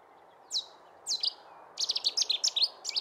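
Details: Cetti's warbler (Cettia cetti) singing in Portugal: two sharp, high opening notes, then a loud, rapid burst of about nine explosive phrases over a soft background hiss.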